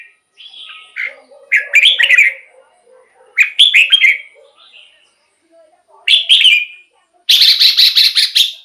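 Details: Lively warbled song of a red-whiskered bulbul, used to rouse caged birds or decoy wild birds: four short, bubbling phrases at uneven gaps, with faint low chuckling notes in the pauses and the last phrase buzzy and dense.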